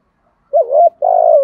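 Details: Luring call of a decoy spotted dove: a brief wavering coo followed at once by a longer, steady, gently falling coo, low-pitched and clear against silence.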